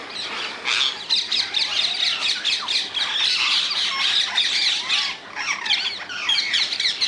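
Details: A group of rose-ringed parakeets living wild in the Netherlands, shrieking together in a loud, harsh, continuous din, with a short lull before grating calls resume.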